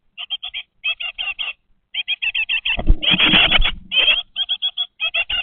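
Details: Great tit chicks at 20 days old calling from a webcam nest box: steady groups of short, buzzy, high chirps, interrupted midway by about a second of loud rustling and scuffling.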